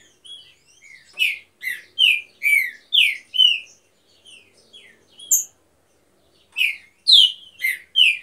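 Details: Green-winged saltator in an aviary, one of a breeding pair, delivers a series of rich, falling whistles in a steady rhythm, pauses briefly, then starts another bright whistled phrase.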